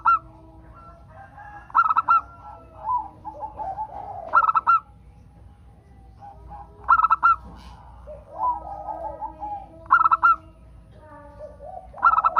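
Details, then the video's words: Local zebra dove song used as a lure to prompt other doves to sing. Five ringing bursts of quick repeated notes, about every two and a half seconds, with softer warbling coos in between. "Pancingan perkutut agar bunyi"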